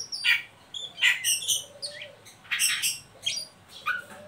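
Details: Oriental magpie-robin in ngeriwik mode, a lure for young birds to begin singing: repeated harsh, noisy chips and short buzzy bursts in quick groups, with a few brief whistled notes between.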